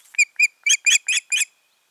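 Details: A nesting osprey pair, 14 June 2019, one bird uttering six evenly spaced, piercing whistled cheeps in a little over a second, growing slightly harsher toward the end.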